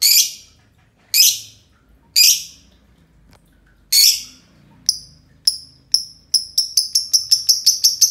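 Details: Pair of green lovebirds in long ngekek singing: several harsh, broad screechy notes spaced about a second apart, then thin high chirps that speed up into a fast rattling series.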